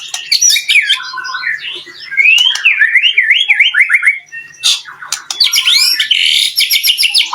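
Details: White-rumped shama song for provoking other shamas: zigzag runs of quick up-and-down whistled notes, then harsh, rattling, broadband bursts toward the end.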